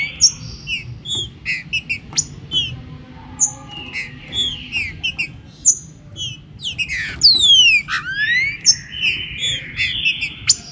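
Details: Green-winged saltator warming up: scattered short chirps and slurred notes build to a loud falling whistle with a rising tail and a long level tone, over a faint low rumble.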